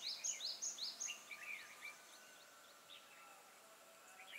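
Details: Red-whiskered bulbul acting as a trapping decoy, 12 April 2018: a quick burst of bright, rising high whistled notes in the first two seconds, then fading to scattered softer chirps over steady background hiss.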